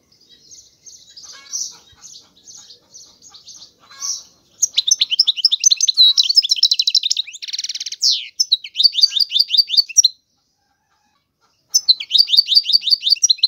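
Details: European goldfinch song starting with soft, distant-sounding twitters, swelling into loud rapid chatter with a buzzy rattle, a short silence, then renewed twittering.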